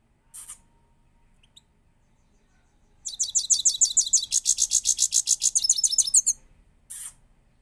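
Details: A goldfinch, a newly acquired bird described as a powerful singer, sings a fast, high, tinkling twitter of rapid notes that runs for about three seconds, with brief scratchy noises before and after.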